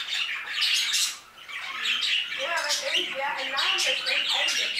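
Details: Budgerigar flock in an aviary chattering in harsh squawks and twittering, briefly quieter after the first second, then joined by lower wavering warbled notes beneath the high din.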